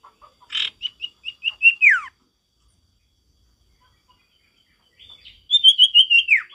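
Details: Male sirtu in full voice, natural forest sound: a string of high clipped whistled notes ending in a long falling slur, repeated after a silent gap.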